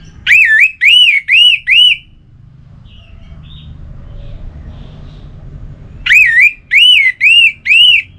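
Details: Orange-headed thrush kept caged in North Bali, singing to coax silent birds into song: four arched whistled notes in quick succession, a quiet gap with faint background noise, then four more.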